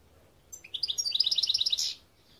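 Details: European goldfinch song, known as Gardelina, a quick tinkling run of bright twittering notes that speeds into rapid repeated chirps and ends in a short buzzy burst, over a quiet background.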